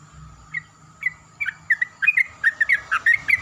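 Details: Yellow-vented bulbul greeting the morning while other bulbuls answer loudly, offered as a lure recording to get bulbuls singing: short bubbly chirped notes, sparse at first, then quickening into a lively run, over a steady faint background hum.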